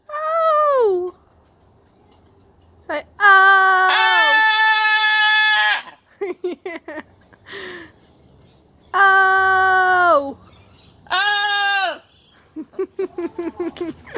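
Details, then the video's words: Pet blue-and-gold macaw talking, laughing and playing with its owner: loud drawn-out squawks with falling ends come in bursts, mixed with quick short chattering notes, while people talk and laugh nearby. "Macaw, talking laughing and playing. Harry the blue and gold macaw"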